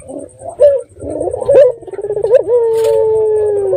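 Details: Local red-eyed dove lure call: jumbled short notes and a fast stuttering roll that ends in one long, steady, hollow coo held to the end of the clip.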